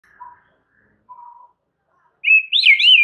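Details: White-rumped shama master song, meant to make other shamas answer: two soft low whistles separated by silence, then a loud, high, twisting warbled phrase at the end.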